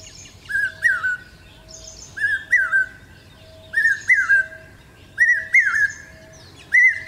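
Common Hawk-Cuckoo giving shrill, rising, whistled phrases of two or three notes, repeated about every one and a half seconds, over a faint steady hum and high chirps.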